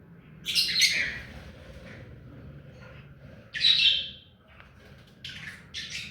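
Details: A pet ring-necked parakeet, tame to the hand, gives separated bursts of shrill, rasping calls a few seconds apart over a quiet low hum.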